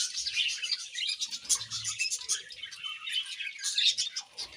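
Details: Budgerigars chirping during morning feeding, a busy overlapping chatter of high, buzzy twitters and warbles with soft low knocks and rustles underneath.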